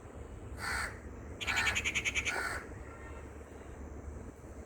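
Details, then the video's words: House crow calling outdoors: a short harsh caw, then a longer burst of rapid pulsed caws around two seconds, over steady low background rumble. "Loud Parrot & Crow Chirping"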